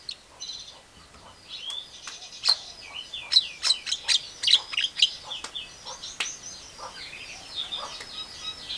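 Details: Javan myna imitating a hen calling her chicks, an Asian pied starling and a hungry civet: a varied run of high chirps, squeaky whistled slurs and sharp clicks, loudest in the middle, over a faint steady hiss.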